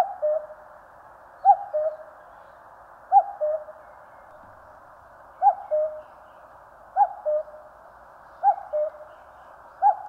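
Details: Six or seven evenly paced two-note calls from a common cuckoo in Korea's mountains, a high first syllable sliding down to a lower held second, repeating roughly every one and a half seconds.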